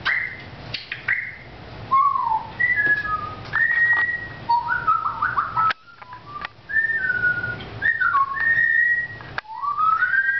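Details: Lakota, a pet African grey parrot, chatting indoors: a run of clear whistled notes, some sliding up or down, in short phrases with brief pauses.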